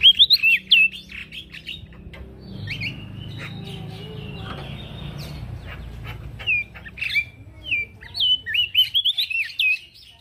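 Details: Vigorous singing from a male prinia, used as a training recording for other birds: quick looping whistles open and close the passage, with a noisy, rumbling stretch and faint chirps between.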